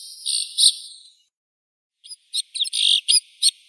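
A White-winged snowfinch gives a drawn-out, buzzy high note, then after a pause a quick burst of sharp, high chirps. Nothing else can be heard.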